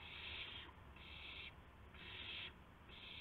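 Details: Owl at dawn, 5:50 AM on March 26, 2016, around prey deliveries of a gopher and a mouse; harsh, breathy hissing bursts of about half a second, repeated roughly once per second over low background rumble.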